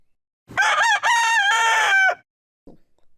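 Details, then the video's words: Domestic rooster crowing to defend his territory and the hens living there, telling other animals this is his home: one loud harmonic-rich crow of about 1.7 seconds, a short opening note then a long sustained wavering tail, a faint sound after. "l'avez sans doute reconnu il s'agit du chant du coq le kop le lance pour défendre son territoire ainsi que les poules qui y vivent il"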